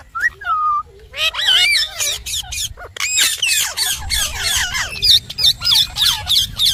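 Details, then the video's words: Pet ringneck parrot talking, rapid speech-like chatter broken by sharp squawks and whistled rising and falling notes, about three per second after a brief pause. "Smart & Cute Talking Parrot"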